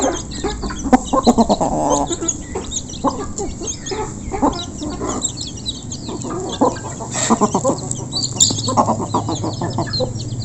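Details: Local chickens eating together at close range, a busy, overlapping chorus of clucks and short calls with higher peeping notes and some low background rumble.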